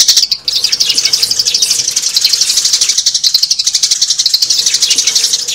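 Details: Sparrow calls used as a lure for trapping adult sparrows in season: dense, rapid high chirping repeated about four times a second, continuous and overlapping like a busy flock, with a faint steady hum underneath.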